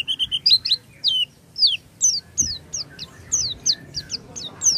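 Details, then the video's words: Oriental white-eye song played to make a silent white-eye sing: a few even high piping notes, then a lively series of sharp downslurred twitters, regularly spaced, over a faint low hum. "pancingan pleci macet bunyi dengan suara ini"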